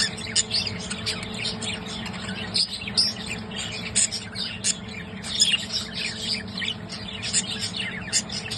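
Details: Budgerigars, tagged as mating, chatter in a dense stream of high, scratchy chirps and warbles, with a faint steady hum behind.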